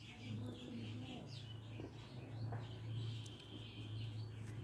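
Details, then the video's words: A hen, about to lay eggs, gives low, drawn-out crooning moans in about three long phrases, with faint chirps from small birds in the background. Chicken. "Hen sound before laying eggs"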